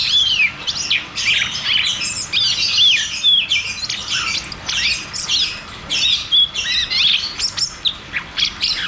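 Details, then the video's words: Cucak cungkok rolling 'ngeroll tembak' song for coaxing non-singing caged birds: loud, rapid, squeaky chirps and upward-hooked whistles delivered in energetic, nearly nonstop bursts. "Therapy dan Pancingan Burung Macet Bunyi || Cucak cungkok Ngeroll tembak"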